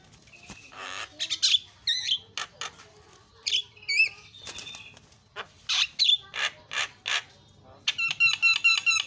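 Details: Asian pied starling singing to provoke other starlings, a varied mix of harsh bursts, squeaky whistles and clicks spaced unevenly, ending in a rapid rattling trill.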